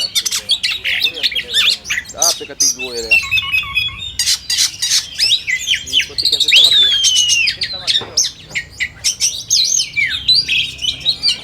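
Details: Contest-simulation song of oriental magpie-robins: harsh rattling bursts, scratchy squawks and a long clear whistle that rises then falls, with overlapping chatter throughout.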